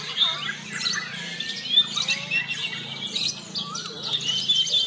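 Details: White-rumped shama at a singing competition in Jepara, singing a rich, varied string of whistled and warbled phrases with sharp rising and falling notes, among other competing birds and a low hum of crowd noise.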